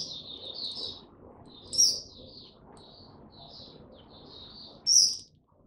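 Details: Oriental white-eye singing 'tiong aw' on 25 January 2022 after a late night: broken bursts of high twittering warble separated by short pauses, with two loud, sharp, piercing notes standing out.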